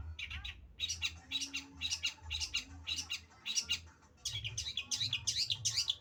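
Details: Cendet (long-tailed shrike) delivering a series of scratchy high chirps in short bursts, a brief pause, then a faster jumbled flurry of notes; low hum in the background.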